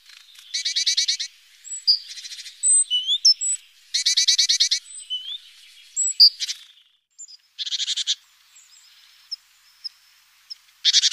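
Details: Morning at a great tit nest box, webcam audio from 14 April: harsh buzzy churring bursts about half a second long, repeated several times, mixed with scattered thin high whistles and chips.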